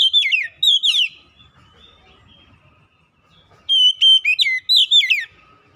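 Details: Kacer lure song for prompting reluctant birds to sing: a short whistled burst, a pause, then a longer run of bright slurred notes sweeping downward, closing with falling whistles.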